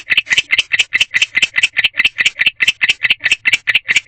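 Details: Male barn owl alone in a nest box at night, 1:21 am on 6 March 2023, chirping to call a partner: rapid, regular raspy chirps, about three per second, each a short harsh burst, steady throughout.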